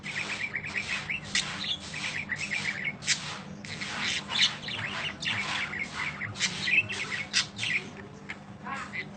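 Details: Budgerigar in long chirping song used as masteran training audio: dense, fast, buzzy warbled chirps and squawks, bursts packed closely together with short gaps, continuing throughout against a low background hum.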